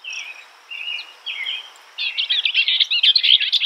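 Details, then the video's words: Skylark song: a few short, slurred whistled phrases give way to a rapid, unbroken stream of chirping, trilling notes, over a steady thin high hiss in the background. "Beautiful skylark bird Sounds"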